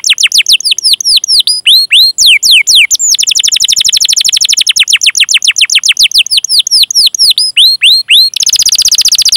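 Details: Canary chirping and rolling song meant to trigger singing in other canaries: long series of sharp downslurred whistled notes alternating with fast rattling rolls, ending in a dense buzzy trill.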